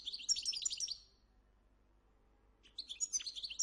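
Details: A Moroccan European goldfinch sings two quick bursts of bright, tinkling twitters, high and jumbled, separated by a second or so of quiet.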